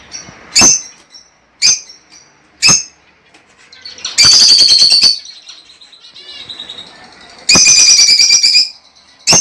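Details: Lovebird calls to get a hen to lay: three spaced single sharp chirps, then a burst of dense, buzzy chatter, a softer lull, and a second loud chattering burst.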